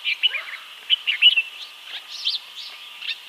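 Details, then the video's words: Himalayan bulbul calling in Uttarakhand, India: a busy run of short, bright chirps and warbled notes that overlap and bunch into quick bursts, with faint fainter chirps trailing behind through the background. "Himalayan Bulbul Calling"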